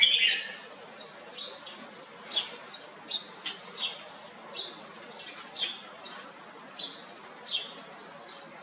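A red-whiskered bulbul gives bright, chirpy notes in quick bursts, roughly two or three a second, mostly high-pitched, with faint background hiss.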